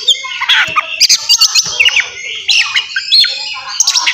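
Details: Oriental magpie-robin's fighting song, intended to trigger aggression and breeding mood in other magpie-robins. Busy, varied chatter of quick squeaky notes, short whistles and harsh squawks, delivered in rapid bursts.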